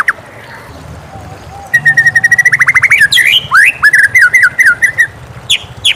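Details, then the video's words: Morning song of a white-rumped shama: a soft wavering whistle, then rapid repeated upslurred notes, a loud swooping phrase and bouncing whistled notes, with faint background hum. "suara merdu murai batu di pagi hari"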